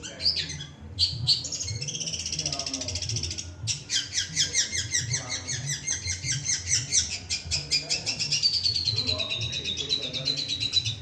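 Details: Long-tailed shrike (cendet) mimicking other birds: a dense, continuous run of varied high chattering, squeaky notes and trills, including a long descending whistled phrase, with a low hum underneath.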